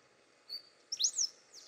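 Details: A Pale-throated Pampa-Finch (Embernagra longicauda) at Morro do Pai Inácio, Chapada Diamantina, Palmeiras, Bahia, Brazil, on 21 January 2019 at 17:05 gives a thin, high whistle, then a quick burst of sharp sweeping chips and one brief note.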